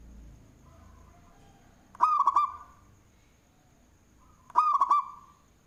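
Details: Loud-voiced local zebra dove from Indonesia cooing manggung-style, described as good for luring. Two phrases, about two and a half seconds apart, each hold three or four quick rolling coos. Quiet humming precedes each phrase, with a faint electronic whine behind.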